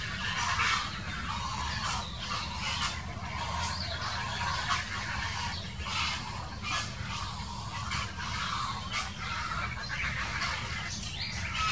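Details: A quarrel among grey herons, recorded 2018. Harsh, rasping calls break out in repeated irregular bursts across the whole stretch, some louder and closer, over persistent low background noise.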